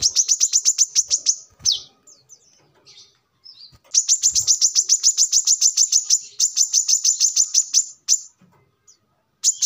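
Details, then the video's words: Brown-throated sunbird song used as a lure: long rapid trains of sharp, very high chirps repeated about three per second, broken by brief twittering pauses. "kolibri kelapa | manggar | wiceh | tidak disangka burung receh segacor ini untuk pancingan |masteran"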